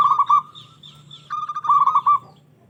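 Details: Local zebra dove singing to provoke rival doves: a few rolling coos, a softer stretch, then a renewed burst of bubbly trilled notes.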